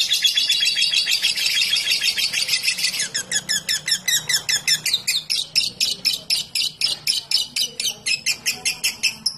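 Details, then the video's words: Lovebird ngekek trill meant to lure others to sing: rapid, high chattering notes at first, then slower, choppier pulses, over a low background hum. "LoveBird Ngetik Ngekek Panjang Terbukti Ampuh Pemancing Love Bird langsung Ikut Ngekek"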